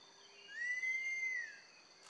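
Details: Female banded kingfisher calling to the male: one long, clear, pure whistle lasting about a second, rising slightly, holding steady, then easing down, over thin, steady high-pitched insect-like tones.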